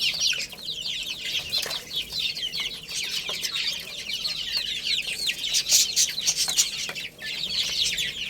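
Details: A flock of young chickens playing and eating, giving a dense, continuous chorus of high, thin peeps. Many overlapping down-slurred cheeps run throughout, with scattered sharp clicks.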